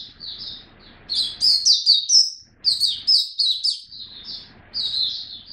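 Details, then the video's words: Hobby white-eye in a cage, fifteenth day on a song supplement, 3 November 2022: fast high chattering warble, soft at first, then louder and busier phrases broken by short silent gaps. "Mata Puteh Buka Sing"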